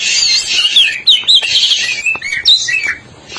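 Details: Black-breasted oriental magpie-robin from East Java in full song: loud, varied whistled phrases and rapid twittering slurs, rising and falling, with no pause.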